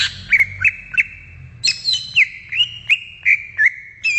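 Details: Wild greater green leafbird (cucak ijo) song: a steady run of short, bright whistled notes, each bending up or down, about three per second over a thin sustained whistle line.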